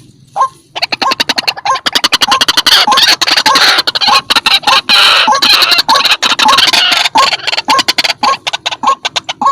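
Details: Vigorous white-breasted waterhen calling used to lure birds: an intense, nearly unbroken run of harsh, grating notes, quickly repeated with little pause.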